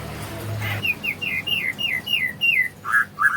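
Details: White-rumped shama singing in the morning, a melodious, full song with imitations: a run of about eight quick downslurred whistles, then two lower, louder notes, over faint low rumble.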